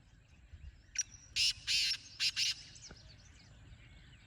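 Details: Black francolin calling in the wild, somewhat distant: a brief harsh note, two longer rasping bursts and a quick closing pair, then steady low environmental noise with faint bird twitters.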